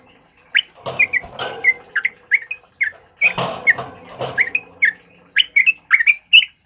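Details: Sooty-headed bulbul giving the loud ropel uplik song meant for tutoring other birds: scattered sharp whistled notes in short bursts, broken by two noisy low rumbling passages.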